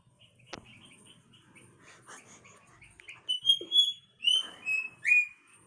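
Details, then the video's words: White-bellied drongo at Jhalana giving a unique long call: a run of clear, metallic whistled notes, some sliding downward, after a softer scratchy twittering, with a sharp click near the start. "WHITE BELLIED DRONGO|#bird#chirping"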